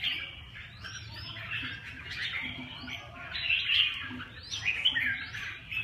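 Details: Red-whiskered bulbul song: a chain of cheerful whistled notes, some sharply upslurred, delivered in uneven phrases with swelling loudness toward the end; soft low background noise throughout.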